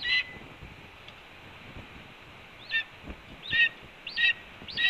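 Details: Nesting red-tailed hawk at Cornell on an April 2013 morning announcing breakfast at the nest: after a quiet stretch, clipped hooked whistles start up and repeat roughly every 0.7 seconds over low ambient noise.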